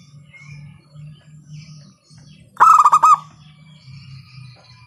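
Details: Zebra dove, local type with a strong voice, used to prompt other doves to sing; one brief burst of about five rapid ringing coos midway, set against steady low droning background noise.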